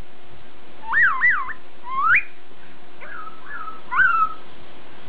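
Masked laughingthrush singing loud, clear whistled phrases that swoop up and down, roughly one phrase a second, over a faint low hum.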